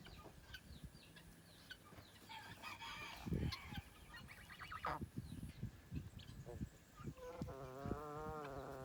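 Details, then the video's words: Sleeping gosling, free-range in Australia, gives soft, scattered murmurs, then a short run of quick, buzzy, wavering notes over low background rumble. "Sleeping gosling makes cute sounds"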